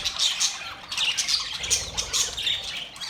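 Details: Budgerigars making mating sounds, with busy high chirping and scratchy squawking from several birds, bursts of sharp whistled notes recurring roughly every half second.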